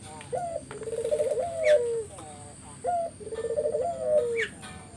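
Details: Spotted dove lure phrase: a short hooked rising note, a throbbing pulsed trill and a drawn-out falling coo, given twice, with a brief high chirp from another bird after each.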